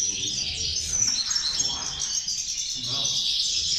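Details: European goldfinches singing together: dense, high, tinkling twitters and trills run on continuously, with faint speech low in the background.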